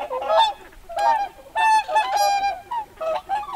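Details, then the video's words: Whooper swans at a lake, where pintail ducks also call, grow busy with many loud calls: trumpeting, nasal honks in overlapping bursts, several in quick succession with short pauses between. "Calls From Pintail Ducks & Whooper Swans. Swans Become Busy With Many Loud Ca"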